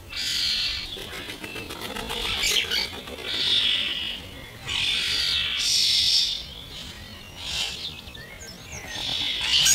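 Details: Starlings, mainly young birds of this year's first brood, squabbling over food, slowed to half speed: harsh, grating bursts of noisy chatter lasting about a second, coming in repeated waves with short gaps.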